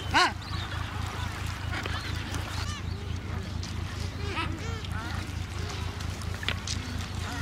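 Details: Colony of Adélie penguins breeding on Paulet Island, Antarctica, February 2019: one loud, sharply arched bray opens, followed by many softer overlapping calls from birds further off, against a low droning background.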